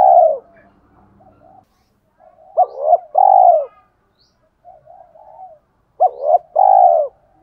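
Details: Spotted dove cooing in the 'thổ pha đồng' style, meant to provoke decoy birds into cooing fast. A drawn-out coo opens, then two phrases follow, each a clipped double note and a sustained low coo. Faint murmuring notes fill the gaps.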